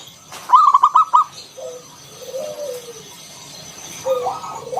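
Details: Local zebra dove (perkutut lokal) in ngalun style with a round 'kung', used as a lure to make other doves sing: one quick stuttered phrase of clipped notes, then soft, low, drawn-out coos fading away.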